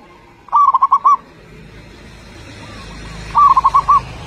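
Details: Loud local zebra dove song meant to draw other birds into singing: two crisp bursts of five rolling, bubbling coos nearly three seconds apart over a steady background hiss.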